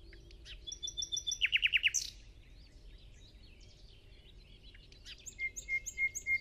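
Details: Common nightingale (Luscinia megarhynchos) singing on an early, damp, misty morning in the Amsterdam water-supply dunes: sustained pure whistles, a fast run of rich churring notes, then repeated piping whistles, over faint outdoor hiss.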